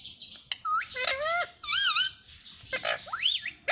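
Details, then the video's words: Talking pet ring-necked parrot trained to say "mummy papa": squeaky, rising and wavering chattering calls in quick bursts, with short harsh squawks in between. "mummy papa bolne vala parrot"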